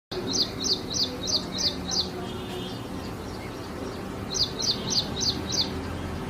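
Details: Ashy prinia (prenjak india) singing: a run of six bright, high, sharp chirped notes in quick even succession, a pause of about two seconds, then a second run of six similar notes, over a low rumbling background.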